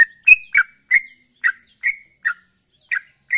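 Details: Sooty-headed bulbul, ropel type, singing constantly: crisp, bright chirped notes, one briefly drawn out and whistled, repeated at an uneven pace of about three per second over a silent background.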